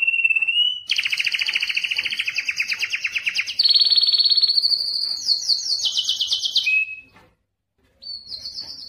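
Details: Belgian or Spanish timbrado canary in a song-training recording: loud rolling trills changing pitch in steps, a brief silence near seven seconds, then a high trill resumes.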